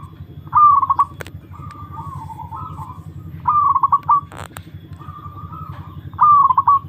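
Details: Kept perkutut, or zebra dove, tested for nerve. It gives three strong cooing phrases, each opening high and breaking into a fast bubbling stutter. Softer drawn-out coos fill the gaps, with a brief click and a low background drone.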